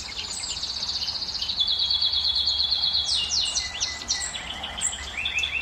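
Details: Canary singing a song meant to excite hens and prompt breeding: a rapid high trill held steady, then breaking into sweeping upslurred notes and scattered chirps over faint background hiss.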